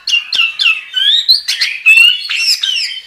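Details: Anis kembang (chestnut-capped thrush) singing gacor: a tight sequence of sharp down-slurred chips, then a long rising whistle and rich, overlapping warbled notes, loud and continuous.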